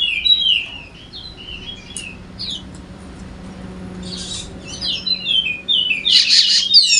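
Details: Golden-headed Wallacean white-eye, endemic to Sumbawa in West Nusa Tenggara, sings a lively gacor song used to coax lazy white-eyes into singing: high twittering, descending slurred notes in bursts, with a faint low hum and short hiss bursts behind.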